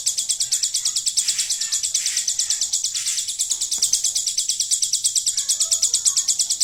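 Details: Hill prinia song filled with a golden grasshopper imitation: a continuous, rhythmic run of sharp, high-pitched buzzy clicks, about three per second, with a single faint knock and soft whistles in the background.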